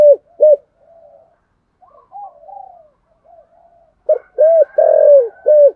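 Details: Spotted dove, 'giọng thổ' voice, ends one phrase with two clipped coos, then soft low warbling coos of another bird, before a new loud phrase of rounded, drawn-out and short coos.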